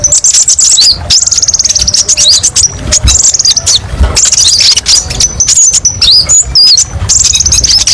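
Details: Captive kolibri ninja (purple-throated sunbird) singing a varied, sharp song used as tutor and therapy audio for kept birds: fast high-pitched trills and rattling runs, with quick whistled upslurs and downslurs, broken by loud clicking knocks throughout.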